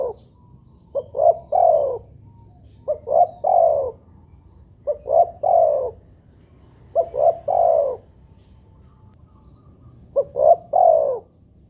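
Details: Spotted dove, known locally as tekukur or derkuku, in a lure recording meant to set doves calling. Five mellow three-note coo phrases, each ending in a drawn-out falling note, spaced about two seconds apart over faint hum.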